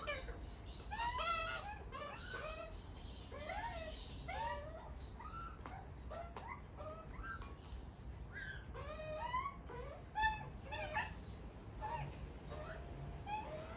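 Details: Wild Australian White-backed magpie with its family at a back door, begging with harsh, nasal, rising and falling squawks in quick bursts every second or so over a low background rumble.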